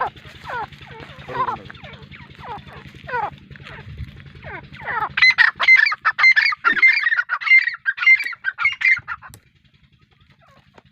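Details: Grey francolin in Pakistan: scratchy rising notes at first, then a loud ringing call repeated about twice a second for several seconds before stopping abruptly, with a low hum early on.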